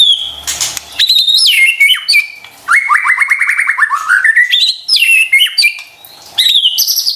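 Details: Shama lure song, used to make stressed caged white-rumped shamas respond: high chirps and a run of rapid repeated notes that climb in pitch, then bright varied whistles.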